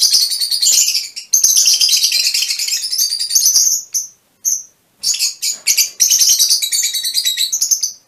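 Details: Fischer's lovebirds, mutation color forms, giving dense runs of shrill, high chirps and chatter in long bursts, broken by short pauses, with a few isolated squeaks between bursts.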